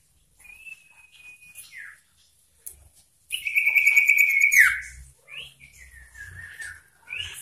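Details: Sooty-headed bulbul in energetic song, used to provoke rival birds: a long steady whistle sliding down, then a loud buzzy trilled phrase dropping at the end, followed by short slurred whistles, with a faint low rumble.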